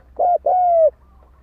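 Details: Single spotted dove lure coo used to provoke fighting: a short hollow note followed by a longer, smooth, gently falling coo, over a faint low hum.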